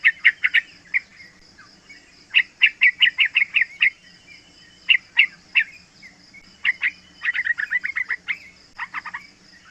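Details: Young yellow-vented bulbul, aged three months, singing as a lure to make other bulbuls answer and as a tutor. It produces dense, fast runs of bright chirped notes in several bursts, with short gaps between them.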